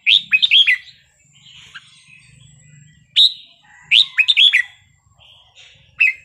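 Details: Red-whiskered bulbul performing a melodious 'wild song' style phrase meant to excite listening birds: a rapid cluster of fluty, bouncing whistles opens, a quiet gap with soft chatter follows, then two more lively whistled bursts.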